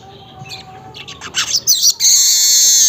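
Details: Early-morning weaver, recorded about 5:40 am, gives quiet faint notes, then a burst of dry chattering that turns into a long, steady, hissing wheeze.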